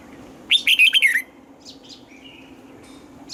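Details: Red-whiskered bulbul trained to sing in the morning: one loud burst of rapid warbled notes around 2–4k, sliding downward, lasting under a second, then quiet with faint distant chirps.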